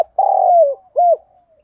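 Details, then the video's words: Spotted dove used as a decoy, giving a thúc bổi coo: a long steady hooted note that sags at its close, then one short arched coo. Clean and close, with no other sound. "Chim Cu Mồi gáy gọi và Thúc Bổi hay"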